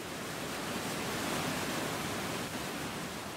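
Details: Continuous broadband rushing noise, like falling water or surf, steady throughout with no animal calls.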